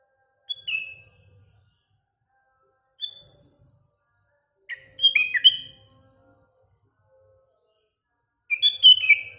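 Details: Morning song of sooty-headed bulbul among surrounding birds: four short phrases of liquid, warbling whistled notes, the middle and last ones richer, separated by quiet pauses of about two seconds.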